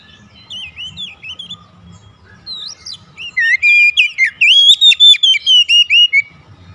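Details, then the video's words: Home-kept Oriental magpie-robin singing actively during daily therapy: varied whistled phrases, then a loud run of repeated clear notes, about two per second, with a faint low hum underneath. "Kacer rumahan rajin bunyi gacor"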